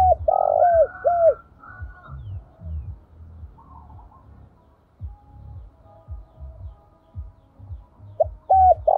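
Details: Spotted dove decoy recording in the thúc and gọi calling styles, used to lure wild doves: loud, hollow, bending coos open and close the passage, with low rhythmic thumping running steadily underneath.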